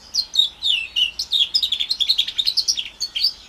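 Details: House finch mule with Timbrado canary parentage, orange/brown, about four months old, producing descending whistled slurs that quicken into a rhythmic chain of rapid chirps.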